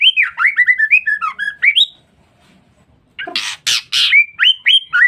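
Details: Provoking lure call of a female white-rumped shama: a fast jumble of slurred whistles, a brief silence, a cluster of harsh rasping bursts, then more sharp upslurred whistles.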